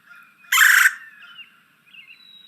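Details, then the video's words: A Red-bellied Woodpecker gives a single loud, harsh, rolling churr lasting under half a second, followed by faint, thin bird notes in the background. "um let's listen to what the red bellied woodpecker sounds like"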